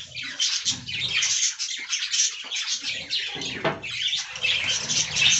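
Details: Budgerigars eating fresh green leaves, filling the air with dense, continuous high chattering and warbling from several birds at once, with scattered low thumps and rustling bursts beneath.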